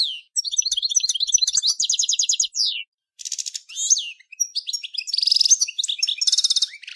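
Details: Full, rich song of a Major-form European goldfinch: continuous rapid twittering with tinkling notes, buzzy rattles and fast trills, broken by one short pause.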